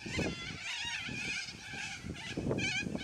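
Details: Flock of noisy yellow-crested cockatoos, loud rasping squawks overlapping in a steady chorus, a few sharper screeches standing out toward the end.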